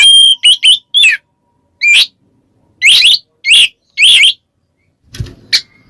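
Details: White-rumped shama calling a rival with ngeplong: a quick run of clear whistles, then spaced harsh raspy upslurred notes about every half second, a low thump near the end.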